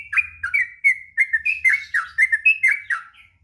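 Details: Long ngropel song of a sooty-headed bulbul used as training material for young birds: quick, slurred whistled notes running together, with a faint low rumble behind.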